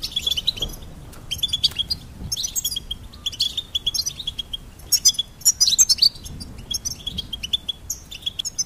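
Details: Goldfinch song in quick chirping bursts: short, high, tinkling notes are repeated in clusters and separated by brief pauses, with some sharper twittered flourishes near the middle. The background is quiet.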